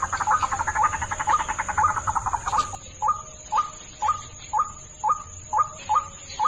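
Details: White-breasted waterhen call used for luring: busy pulsing chatter with rising notes at first, then isolated short rising calls spaced about half a second apart, a constant faint high tone behind.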